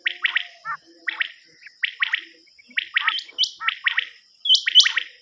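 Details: Cassette recording of common quail linked to quail hunting: rapid triple-note calls repeated about once a second, overlapped by higher, sharper piping notes and a constant thin high whine.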